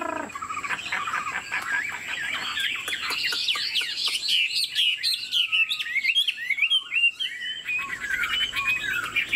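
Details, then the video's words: Caged Chinese Hwamei, described as 90% pure, singing while bobbing its head and displaying its wings: a long, loud run of varied whistled phrases, sliding up and down and growing more rapid and warbled toward the end, with faint clicks throughout. "Họa mi thuần 90%, chơi cánh, hót gật gù múa lân"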